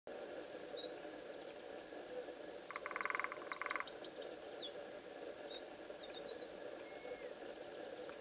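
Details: A lesser spotted woodpecker marks its territory by drumming on a wooden post, Castelo Branco, Portugal, 16 February 2013: one rapid, even roll lasting about a second, over a steady chorus of frogs or insects and high chirps from other birds.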